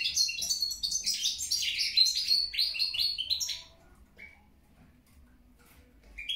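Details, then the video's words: A European goldfinch (Carduelis carduelis) sings a fast, tinkling jumble of high twittering notes for about three and a half seconds, then falls quiet apart from a couple of single chirps. "carduelis carduelis, hasson, stiglic"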